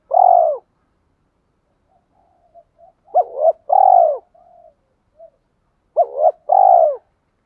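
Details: Decoy spotted dove cooing to lure wild doves with gáy gọi and thúc phrases: a lone low coo, then two paired bursts of a quick double note followed by a fuller, hollow coo, with faint soft murmurs between.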